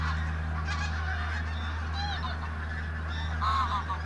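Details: Pink-footed geese, many birds on the move at Martin Mere WWT Reserve, Lancashire, bright day, 8 October 2012. A dense chorus of honking, with a few clearer, higher yelps standing out near the end, above a constant low drone.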